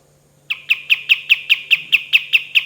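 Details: Energetic kapas tembak song, a steady string of about eleven loud, sharp, high notes, each a quick downward-slurred chip repeated roughly five times a second, faint hum underneath.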